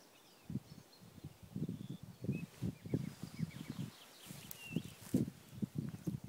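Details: Black grouse in the eastern Ore Mountains on 3 April 2016, recorded on an iPhone 4 through a spotting scope: low bubbling, throbbing phrases in uneven bursts, with faint thin whistles of other birds higher up.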